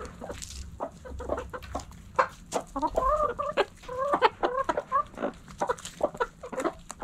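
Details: Backyard hens in a coop, clucking steadily: short dry clucks throughout, with a run of bright, harmonic, rising-falling calls in the middle that rise in volume, then return to scattered clucks.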